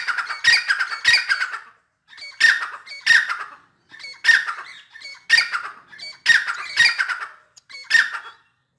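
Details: Grey francolin, local name dakhni teetar, calling in full spirits: a long sequence of loud rasping double and triple bursts about every half second to second, with short silences between groups.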